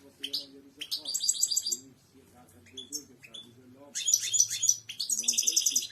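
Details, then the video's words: European goldfinch song, offered for training other birds to sing: bursts of rapid, twittering, buzzy high notes in dense phrases about a second long, separated by short pauses, with softer low warbling beneath. "اقوى تغريد حسون الملكي"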